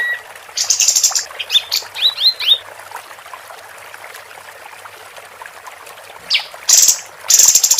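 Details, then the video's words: Female capped white-eye giving a short run of buzzy chatter and rising whistled slurs, then near silence before two more loud buzzy bursts at the end. "Kapas Tembak Betina Gacor"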